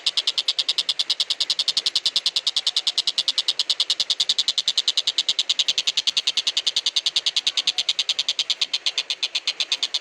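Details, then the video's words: Kingfisher called tenkek buto, a long recording used for tutoring magpie-robins and green leafbirds. Dense, rasping notes stream in a fast, steady series, roughly eight per second throughout, with no other sounds. "Burung Tenkek Buto"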